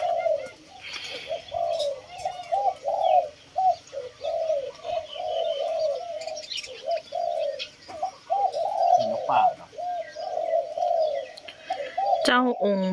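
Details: Spotted doves kept in captivity, cooing steadily: a long run of soft, hollow coo notes in grouped phrases, with brief pauses between groups and a sharp clatter near the end.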